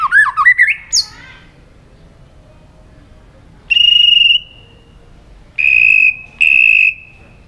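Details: White-rumped shama in competitive singing: a quick rising trill, then three long steady pure whistles, each about half a second to a second, separated by pauses.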